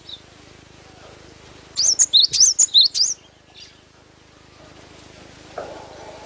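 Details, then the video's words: Singing cinereous tit (glatik batu) recorded naturally: after quiet, a brisk run of about six high, clear two-part whistles with rising slurs lasting just over a second, then silence and a faint low knock. "GLATIK BATU GACOR FULL SUARA ASLI ALAM"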